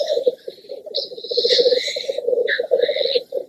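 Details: Black grouse males display at a lek to impress watching greyhens (females): a continuous low, dovelike bubbling rookoo runs throughout, broken by two harsh hissing sneezes.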